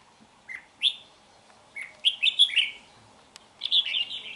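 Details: Red-whiskered bulbul from Hoà Bình, a bird kept more than two seasons, singing short bright whistled phrases of quick rising and falling notes in bursts, with brief pauses between groups.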